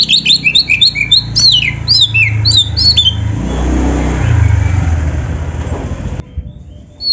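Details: Oriental magpie-robin (kacer) in gacor full isian style: a rapid run of loud, high whistled downslurred notes for three seconds, then a vehicle or motorcycle engine roars and drowns the background.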